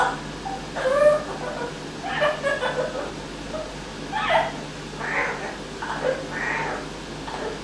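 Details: Male pet Amazon parrot with a learned evil laugh, developed over a week in someone's care; chuckling, snickering bursts with a few tonal squeaks, spread over several seconds against a constant indoor hum.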